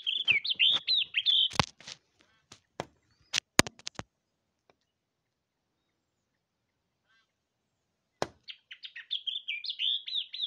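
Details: A pair of yellow-eyed babblers at a window, interacting with their own reflections, give rapid, chattering, slurred high calls in bursts, broken by sharp taps and knocks, then a quiet gap before the chatter resumes.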